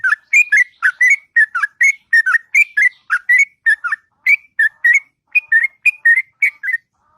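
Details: Long melodious ngropel singing by a sooty-headed bulbul in the morning: an unbroken run of chirpy, whistled notes, rising and falling in pitch, delivered briskly for seven seconds.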